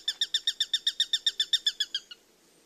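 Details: Bird chirping for relaxation: a steady series of about fifteen short, bright chirps, roughly seven per second, ending with a couple of lower, softer notes before quiet.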